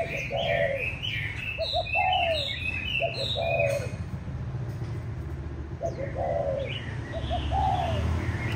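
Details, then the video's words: Spotted dove, a former decoy bird now kept as a pet on a balcony and said to coo all day, gives soft, mellow coos in short three- or four-note phrases every few seconds, with small birds chirping behind. "Cu gáy mồi"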